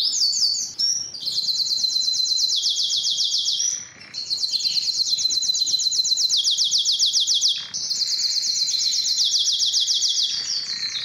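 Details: Belgian canary singing to stimulate females for mating and for song training: long, fast rolled trills held in tours of about three seconds, each dropping slightly in pitch, separated by brief pauses.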